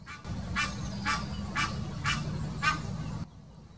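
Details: Egyptian goose giving its mating call in the Wittlicher Senke, 2018: five loud, harsh honks repeated about every half second, each a broad burst, over a steady low rumble that stops abruptly near the end.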